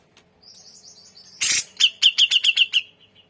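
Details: Grey-cheeked bulbul in vigorous full song for tutoring other birds: a soft thin trill, one loud harsh burst, then about seven sharp clipped notes in quick succession, each ending in a brief whistled tone.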